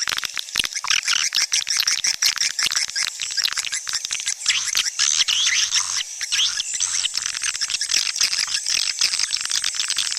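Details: Swiftlet sound for luring the birds to nesting houses, a thick wall of very high, fast twittering and ticking calls from many birds, steady and unbroken throughout.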